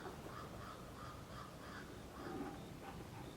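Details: Jamaican Woodpecker, nest-building, giving a steady run of harsh, nasal notes, about three a second, over a low rumble of background noise.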